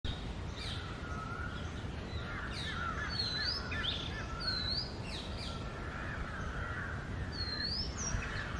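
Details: Oriental magpie-robin, male and female, singing in early morning during the summer breeding season: scattered clear whistled notes and rising slurs at high pitch over a steady broadband hiss of background noise.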